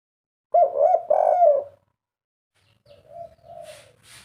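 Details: Kept spotted dove (tekukur), a three-note 'kuk 3' caller, gives a loud run of low, mellow rolling coos. A softer, fainter coo phrase follows after a short pause, with faint hiss behind.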